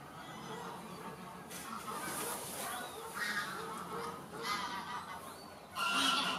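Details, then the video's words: Several tundra bean geese at Oelemars give nasal, honking calls in overlapping bursts over a steady background hiss. "Toendra Rietgans"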